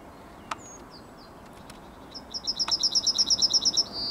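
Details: Yellowhammer singing in the morning on 9 May 2021: after a faint note and soft clicks, a fast series of about a dozen high, even chirps speeds into a drawn-out thin final note, cut off at the end.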